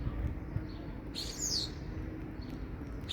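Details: A single harsh, buzzy, descending call from a common starling, sharp against a quiet, low hum.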